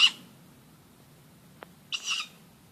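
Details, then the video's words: Harsh, hoarse screeches of a tawny owl from an oak beside a house near midnight, one call fading at the start and another about two seconds later, with a faint tick in between. "Weird noises - thought to be a tawny owl."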